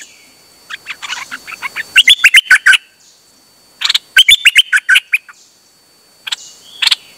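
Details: Dok Taeng bird singing on 8 September 2023. Quick, accelerating chirps run into loud, rapid phrases of sharp whistled notes, repeated after a brief silence, then a few isolated calls.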